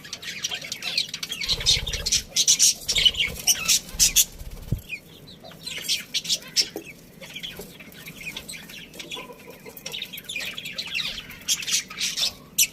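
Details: Budgerigar colony with a breeding pair: bursts of harsh, high chirps and squeaky chatter coming in irregular runs, with low thumping knocks early on and a quieter chattering stretch in the middle.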